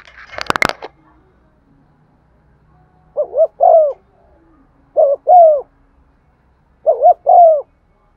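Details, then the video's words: Caged spotted dove lure bird cooing to provoke other doves, in the classic 'giọng son' style; a sharp clattering noise opens, then three low phrases follow, each two quick wavering notes and a longer falling coo, about two seconds apart. "Tiếng chim cu gáy mồi thúc gù bài bản giọng son"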